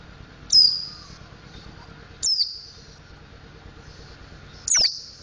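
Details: High, clipped chirps falling in pitch, three in all about two seconds apart, as a mountain white-eye learns its ngriwik and ngeplong song; quiet hum in the background.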